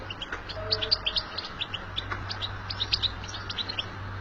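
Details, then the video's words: Twittering of a wild goldfinch in nature: clear, ringing high chirps in quick runs with short buzzy notes mixed in, fairly prominent above background hiss and a low hum. "بتبتة الحسون في الطبيعة"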